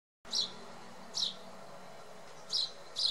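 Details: Eurasian tree sparrow perched on hawthorn in November 2018, Samara region, Russia, giving short high chirps, four spaced notes over three seconds, with faint background hum.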